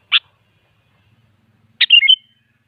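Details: Sooty-headed bulbul, sung as a lure for other bulbuls: one sharp clipped note, then after a pause a bubbling phrase of rapid liquid whistles sliding downward, nothing else audible.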